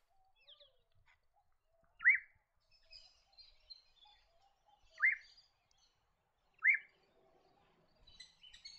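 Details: Little Friarbird around Cairns, Queensland, in woodland near rivers and wetlands, giving three loud, rising slurred notes a few seconds apart, with faint twittering from other birds behind.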